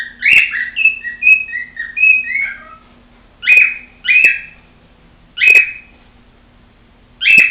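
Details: Female cockatiel kept as a pet, singing: a long warbled phrase of falling stepped whistles, then single sharp whistled notes spaced about one to two seconds apart, with faint background hum.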